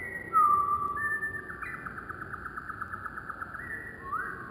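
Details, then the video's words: Wren song played slowed down, so it sounds low: drawn-out whistled tones that step between pitches, with a quick rattling trill through the middle and a rising slur at the end, over a faint low hum. "Wren Birds Singing with Amazing Slowed Down Audio - Bird Song"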